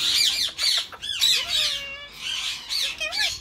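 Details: In spring, a captive Grey Edged male Indian ringneck parakeet courts his mate with loud raspy squawks and chatter. Brief sliding whistled notes are mixed in, arching up and down in quick irregular runs.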